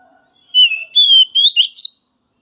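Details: White-rumped shama giving a short phrase of loud, pure whistles, the notes sliding and then rising into sharper ends.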